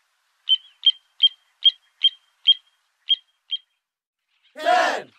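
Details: A little ringed plover during breeding, with mating, egg-laying and incubation, gives eight short, clear whistled notes, about two or three each second, followed by a brief burst of a human voice.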